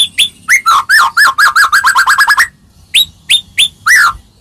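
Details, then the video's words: White-rumped shama song used to make other shamas answer: a rapid series of rolling whistled notes repeated about a dozen times, a pause, then four separate rising clear whistles. "Suara Merdu Murai Ini Selalu Berhasil Buat Murai Apapun Langsung Nyaut"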